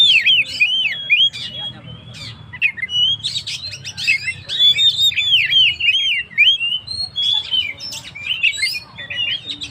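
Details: Lively gacor song of an Oriental magpie-robin, played to provoke stressed birds: repeated looping whistles and swooping slurs interspersed with harsh clicks and brief pauses, delivered in loud bursts.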